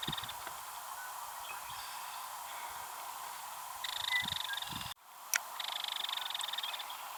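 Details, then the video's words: Female Belted Kingfisher at Ted Shanks Conservation Area, Pike County, Missouri, on 4/8/25. After another kingfisher, maybe her mate, flew by rattling, she gave two dry, rapid, high rattles of about 1.5 seconds each; low thumps and hiss between. "Belted Kingfisher Rattle sound"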